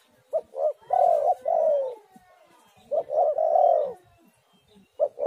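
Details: Spotted dove song played as a lure to get doves singing. Two phrases, each two quick short coos running into two drawn-out, slightly falling coos, about three seconds apart.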